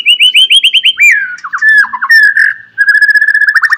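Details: White-rumped shama singing in the morning, a lure to stimulate other shamas to sing: rapid repeated whistled notes near the middle, then sliding phrases and a fast trilling run at the end.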